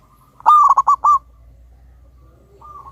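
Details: Loud, big-voiced wild local zebra dove, used as a lure to draw other doves into song. A single stuttered cooing phrase of five quick hollow notes, then a faint soft coo.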